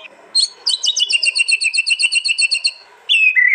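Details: White-rumped shama, a contest bird from East Java, recorded on a phone for a master track: a rapid, high, regular string of about fifteen clipped double notes, then a pause and a falling whistled phrase.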